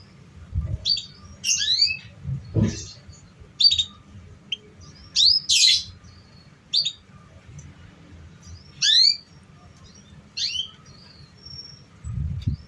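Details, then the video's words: Singing canary used to encourage young untrained canaries to sing: a string of quick rising whistled sweeps and sharp chirps, one harsh buzzy burst midway, spaced by short pauses, with low thuds and background hum. "Pancingan Suara Kenari Paud"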